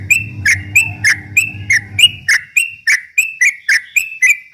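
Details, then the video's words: Yellow-vented bulbul singing in the rapid 'ropel' style, used as a lure to provoke rival birds morning, noon and night; sharp chirps repeated about three times a second over a low droning hum that stops midway. "kicau suara trucuk ropel memancing emosi lawan"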